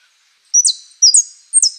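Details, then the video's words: Saffron finch song featuring the prio, golpe and pitada phrases. Three crisp, very high notes come about half a second apart, each a bright downward slur with a short tail, against silence. "JILGUERO AUDIO "OSAMA" ( prio,golpe y pitada)"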